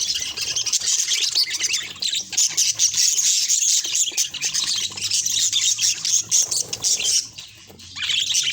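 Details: Continuous high budgerigar warbling and chirping, many overlapping scratchy notes, briefly dropping away near the end before resuming.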